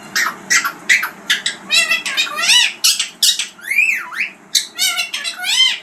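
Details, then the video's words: Talking green parrot chattering continuously: dense bursts of harsh squawks and arched whistled notes in quick succession, indoors-sounding with low background noise. "Talking parrot# green parrots# bolane wala tota# bird voice#"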